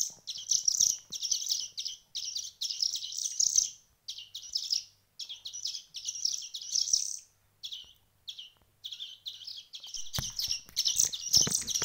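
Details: A week after hand-feeding began, young birds chirp in thin, high, buzzy bursts separated by short silences, the calling turning more rapid and constant toward the end with faint handling noise.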